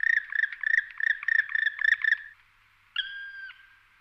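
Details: A male Black Woodpecker in the mountains of León, Spain, April 2019, gives a fast run of about fifteen harsh, ringing 'krri' notes over two seconds, then a single drawn-out plaintive 'klee-ah' after a short pause.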